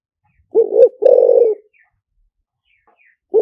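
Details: Liu tan style decoy song of a spotted dove: two short hoots run into a drawn-out, throaty coo, then silence before the next phrase begins; faint thin chirps of other birds behind.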